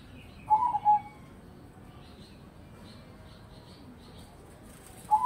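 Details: Zebra dove singing: a short, soft warbling coo phrase, then a long pause before another phrase begins at the end, over a steady low hiss.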